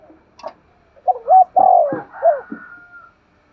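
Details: Spotted dove decoy bird calling: a soft tap, then a loud sustained coo that slides downward, a short hooked note and a faint trailing whistle-like tone.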